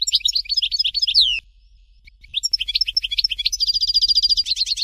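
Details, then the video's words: Dalya-style song of a European goldfinch, Fort de l'Eau variant: fast twittering phrases end in a long downslurred whistle, a brief pause, then rapid tinkling notes building into a steady, buzzy repeated trill. "Chant Chardonneret Dalya Original"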